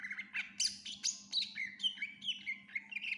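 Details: Greater green leafbird in energetic song with fill-in phrases: rapid, continuous sequence of bright chirps and short slurred whistles, several per second, some very high and shrill, over a steady low hum.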